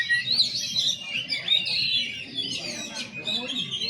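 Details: White-rumped shama giving a slow-style song: high, varied whistled phrases and sliding notes, some rising and falling, over a low murmur of background noise.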